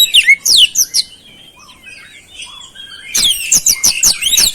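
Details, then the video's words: Oriental magpie-robin delivering a strong song with flowerpecker-style insertions: sharp high notes at first, a hushed twittering middle, then a dense burst of rapid, piercing chips repeated in quick succession. "KICAUAN KACER GACOR BESET ISIAN CABE CABEAN"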